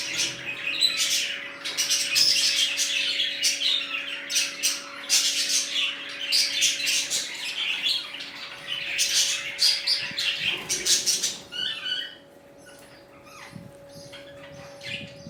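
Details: A new budgerigar colony chattering busily: rapid, overlapping high chirps and scratchy warbles tumbling over one another for about twelve seconds, then thinning to a few soft twitters, over a constant low hum.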